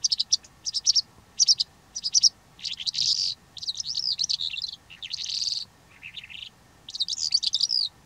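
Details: Calandra lark song from Greece: repeated short chirp bursts about every half second, building into longer buzzy, jangling trills and a lower warbled phrase, then more rapid high notes.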